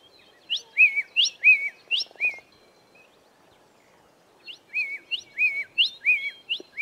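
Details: Grey tit, a dry land bird, singing: phrases of a high sharp note followed by a lower whistled slur, repeated about three times, a pause of two seconds, then four more phrases; faint background noise.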